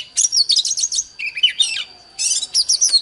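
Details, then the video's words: Oriental magpie-robin singing in a duel against a wild bird: rich, rapid phrases of buzzy and whistled notes, high and varied, in bursts separated by short pauses, over a steady thin high tone. "Chòe than Đấu với chim THIÊN NHIÊN"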